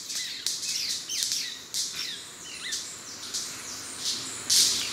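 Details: White-bearded manakins displaying at their lek beside a forest trail at ASA Wright, Trinidad: sharp snapping clicks and brief high chirps and squeaks, repeated irregularly, with a loud burst near the end.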